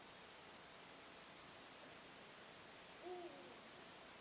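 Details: Before dawn at roughly 4 am on 26 March 2016, a Eurasian eagle-owl calls near Hagen, Germany; one brief, deep hoot rises faintly out of constant background hiss late in the recording, otherwise quiet.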